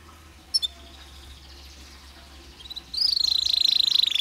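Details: Domestic canary singing as a lure to stimulate stressed canaries: near silence with two brief chips, then a fast, even, high trill of rapid repeated notes starting about three seconds in.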